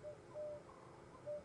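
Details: Emerald-spotted wood dove calling from a tree on an afternoon safari drive at Djuma and Arathusa, 18 January 2015: soft, low, hollow coos, two or three brief notes about a second apart, over a quiet background hum.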